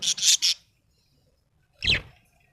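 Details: Small parrot uttering three quick shrill chirps in a row, then silence, then one more brief rasping chirp.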